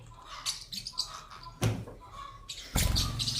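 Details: Pet Pacific parrotlets busy eating while their owner urges one to say 'mae' (mother); short high chirps and tweets sound between a man's Thai speech, with a couple of loud knocks or bumps.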